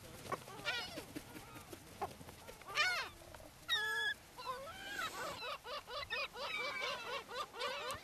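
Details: Flock of gulls fed on the beach at Brean Sands, Somerset, England, in April: a dense chorus of harsh laughing and mewing cries, rapid repeated arched notes overlapping, building into continuous squabbling calls.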